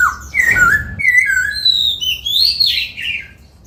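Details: Caged laughingthrush in training, singing while dancing, working on the 'bắt cô trói cột' phrase: a run of clear, varied whistled phrases sliding up and down at mid to high pitch, with a low thumping knock early on and a small-room feel.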